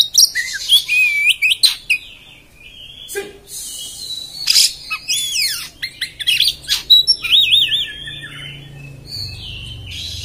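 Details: Oriental magpie-robin (kacer) singing a harsh, rough 'beset' style song: varied rising and falling whistles, wavering trilled notes and sudden loud buzzy rasping bursts, with a faint low hum behind.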